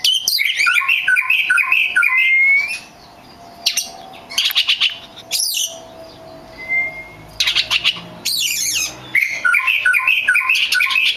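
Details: Oriental magpie-robin song used as a lure to make other magpie-robins sing: bursts of varied, high, twittering and whistled phrases broken by short pauses, with a few clear rising whistles and sharp clicking sounds between the phrases.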